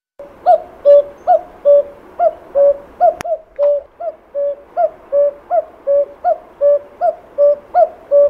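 Common Cuckoo calling its soft, hollow two-note 'cu-coo', the second note lower, repeated steadily about once a second; one brief click partway through.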